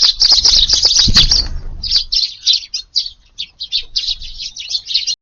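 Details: A crowded flock of Eurasian tree sparrows at an evening garden meal, 6 July, chirps densely, then a loud whir of wings, followed by spaced single cheeps, roughly two per second.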